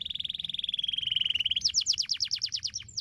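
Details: Canary singing, played to train canaries to sing readily: an even, fast pulsed trill drifting slightly lower, then a quick run of high descending sweeps repeated about six times per second.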